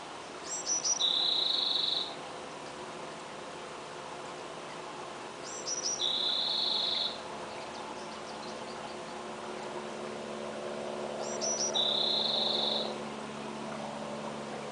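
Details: Female Allen's hummingbird at her nest with two-day-old chicks fans her tail in aggression at her own reflection, making cricket-like chirps: three short bright buzzy bursts, each led by quick ticks, about every five seconds over steady background hiss.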